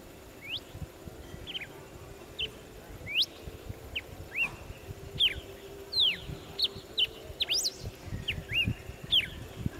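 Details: A red-cowled cardinal (Paroaria dominicana) in Parque Aimaratá, Americana, São Paulo, gives short, sharp, downslurred chips and clear whistled notes, irregular and several per second at times, over steady low background noise.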